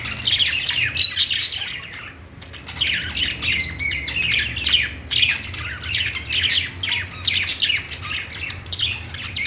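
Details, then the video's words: Several budgerigars on a perch in a pet store, singing continuously: busy high warbling and scratchy chirps, a short pause near two seconds, then steady chatter, over low mechanical hum. "budgies singing on perch | parakeet chirping sounds in pet store"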